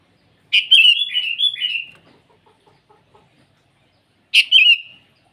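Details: Morning song of a sooty-headed bulbul calling rivals, a longer run of linked bubbly whistled notes stepping up and down, followed by soft low ticking notes and a single shorter phrase near the end.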